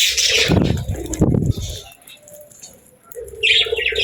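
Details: Pet budgerigars, described as happy birds, give a burst of bright chattering chirps at the start and again at the end, with a lull and low rumbling movement noise between.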